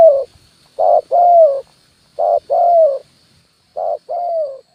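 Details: Decoy lure call of a spotted dove, 'kuk 1' style for trapping wild birds on branch and ground: three double coos, each a brief note then a drawn-out coo sliding gently downward, spaced about 1.5 seconds apart, over a quiet background.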